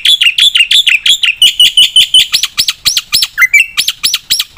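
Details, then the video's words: Black-winged myna delivering quick, evenly spaced ringing chirps, about three per second, shifting slightly higher midway, with one lower slurred whistle near the end. "suara burung jalak putih gacor full isian PATEN untuk pancingan dan masteran"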